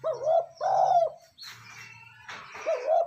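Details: Spotted dove coo used to stir a decoy bird into calling: low, rounded throaty notes in quick succession, a brief gap of hissy rustling, then another coo, over a steady low hum.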